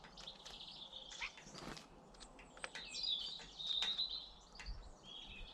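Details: British garden birds in song: bright chirps and thin whistled phrases, a short trill near the middle, with faint rustling and a quiet background.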